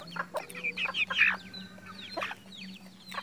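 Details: Red junglefowl in captive breeding, Mukomuko, Bengkulu, Indonesia: bursts of high chirps and short sharp calls, several birds overlapping, over a low steady hum.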